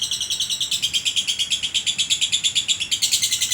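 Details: Lovebird ngekek from a champion contest bird in Sragen, its long-duration song sometimes stretched by 'konslet': unbroken, rapid, shrill chatter of buzzy high notes, about seven pulses each second, loud and even throughout.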